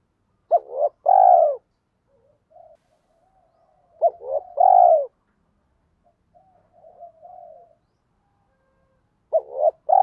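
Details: Lure spotted dove cooing in the 'thổ pha' style, fast like a sewing machine, to provoke wild males to coo back. Three phrases about four seconds apart, each a stuttered double note and a drawn-out mellow coo, with soft low murmurs between.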